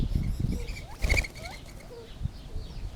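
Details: Gambel's quail with a few short upslurred and flat whistled notes, broken by a loud burst of broadband rustling near the middle, and low thumps underneath.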